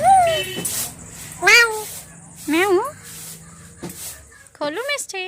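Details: A talking pet parrot mimics speech in four short, voice-like phrases with swooping rising and falling pitch, separated by brief pauses and a faint background hiss.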